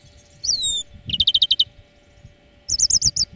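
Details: Greenfinch training-lesson song: a few downslurred whistles, then a fast trill of about eight chirps, a pause, and a higher twittering trill, with a constant low hum.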